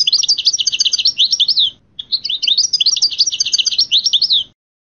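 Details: Dense, rapid twittering song of a European goldfinch, with high tinkling notes tumbling in quick succession, forming two long phrases with a brief pause between them, as taught song sorties.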